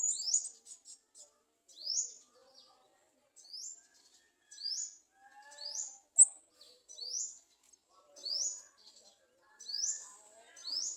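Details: Olive-backed sunbird adults in a garden, near the nest, trying to feed their young: thin, very high upslurred squeaks repeated roughly every second and a half, opening with a quick burst of sharp ticks; faint low sounds in background.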